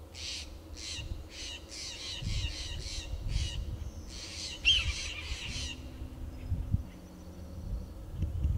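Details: Steller's jays mobbing a Red-tailed Hawk perched on a tall Monterey pine in Del Monte Forest, California, to chase it from their territory: a quick run of about a dozen harsh, rasping calls, then quiet, over wind rumble.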